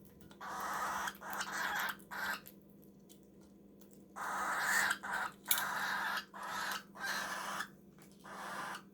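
A young cockatiel gives harsh, raspy calls in quick bursts while eating.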